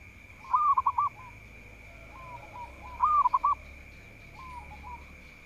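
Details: Local zebra dove in full song, said to be good at provoking rivals into singing: two soft, mid-pitched cooing phrases of four or five quick bubbling notes each, about two and a half seconds apart, over a steady faint high whine.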